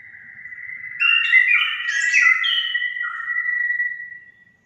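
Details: Orange-headed thrush song meant to stimulate caged birds: a steady whistled tone runs throughout while a burst of rich, tumbling warbled notes rises over it, then fades out.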